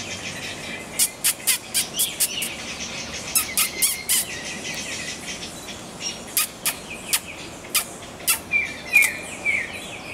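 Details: Black-cheeked gnateater recorded at JB: sharp, clicking chip notes repeated roughly every half second in loose runs, with a few thin whistles from other birds behind and steady insect and background hiss.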